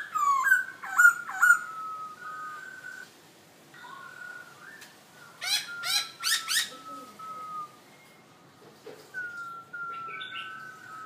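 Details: Black-throated laughingthrush kept as a cage bird in Hanoi, Vietnam, in a mixed song of sweeping whistled phrases, long level whistles, a burst of harsh chattering notes, and more drawn-out whistles after pauses.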